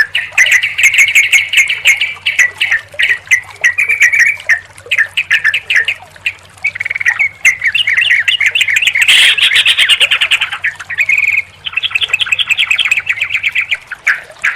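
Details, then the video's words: Sooty-headed bulbul sounds in a combined recording meant as therapy to set a silent, stressed bird singing: dense overlapping bubbly chirps and squeaky phrases, busy and almost unbroken, with a steady low hum beneath. "SUARA TRUCUKAN KOMBINASI YANG JITU UNTUK TERAPI TRUCUK MACET BUNYI DAN STRESS"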